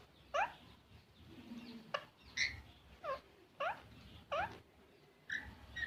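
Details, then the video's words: Green parrot repeating harsh rising squawks about once a second, each brief and rich in harmonics, alternating with a few higher, flatter shrieks, over a quiet background. "green parrot"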